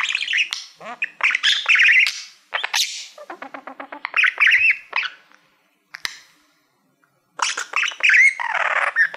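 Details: Caged pet budgerigar, male, warbling at a shiny play button he treats as a favourite mirror; rapid chirps, scratchy squawks and a run of quick ticking notes, with two short silent gaps.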